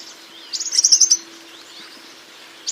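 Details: European Serin song: one quick burst of high, rushed, liquid twittering notes lasting under a second, then quiet background with a faint low hum.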